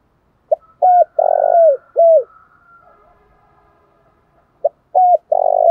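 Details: A spotted dove sings a 'thổ pha đồng' style phrase: a clipped note, a short coo, a long purring coo and a falling coo. After a pause the next phrase starts. A soft high tone lingers in the background.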